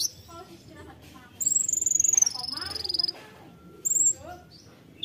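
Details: Konin singing in tembakan style: a loud, high, rapid pulsed trill slowly falling in pitch over about two seconds, then a brief high burst, over a low steady background hum.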